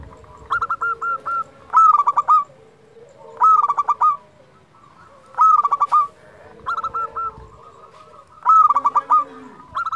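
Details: Persistent singing from a local zebra dove, meant to rouse quiet doves: rhythmic phrases of quick stuttered coos ending in a louder rolled note, repeated about every two seconds, with a faint lower tone in the background.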